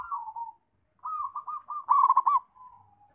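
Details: Zebra dove (perkutut), called a lively singer, gives a soft falling coo, a pause, then a fast purring series of rolled cooing notes ending in a quiet drawn-out tail.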